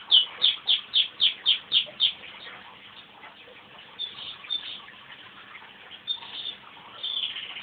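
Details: Crossbred pet male canary singing after his owner starts him off with a whistle: a quick run of about eight bright, evenly spaced chirping notes, roughly four per second, then softer warbling phrases trailing off.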